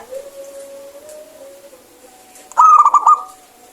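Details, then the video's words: Local zebra dove (perkutut), kept for its clear voice and calling actively, gives a short burst of quick, stuttering, bright mid-pitched cooing notes after a faint steady tone, over a quiet background. "PERKUTUT LOKAL GACOR SUARA BENING"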